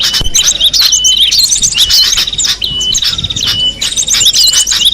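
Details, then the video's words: Cinereous tit in the wild: high, bright chirps and short whistled notes over a steady thin tone, repeating in bursts about twice a second, with other birds chirping alongside. "suara burung gelatik batu di alam bebas"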